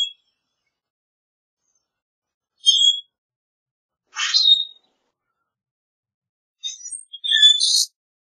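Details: Common grackle singing: a metallic squeak, a harsh buzzy rasp, then a stuttering creaky phrase rising to a shrill squeal, separated by pauses of one to two seconds.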